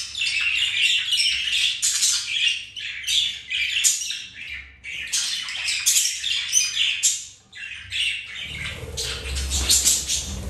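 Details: Pet budgerigars mating, flirting and playing keep up a long, busy stream of scratchy warbles, clicks and chirps, briefly pausing before a low rumbling noise joins near the end.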